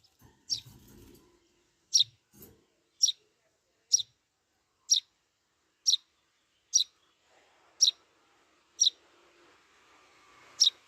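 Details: Eurasian tree sparrow chick asking to be fed: short, high, sharp chirps repeated roughly once a second, ten in all, in a quiet setting with faint low rustling.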